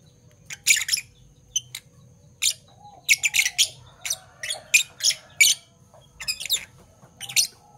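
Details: A parblue violet and a parblue turquoise Fischer's lovebird calling in the morning: piercing, buzzy chirps, some single and some in fast runs of three or four, with a soft hum behind.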